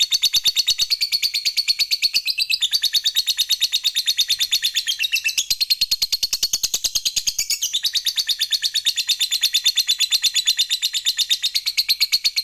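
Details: Long ngekek chatter of a fighter lovebird, meant to provoke an opponent: a continuous stream of quick, raspy, high notes held for over twelve seconds, with small pitch steps and no breaks.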